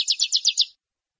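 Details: Saffron finch in "metralha" song style for teaching captive birds: five quick downslurred buzzy notes in a rapid burst lasting under a second, followed by quiet.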